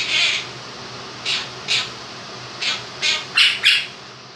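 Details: Two-year-old pet male Quaker parrot doing his 'If You're Happy and You Know It' tune: one long harsh note, then six short squawks in pairs, spaced under a second apart, against a fan's steady whoosh.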